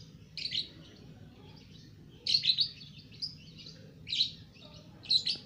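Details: Caged two-month-old lovebird singing: short clusters of sharp, buzzy high chirps, several in quick pairs, separated by brief pauses, with a soft low hum behind.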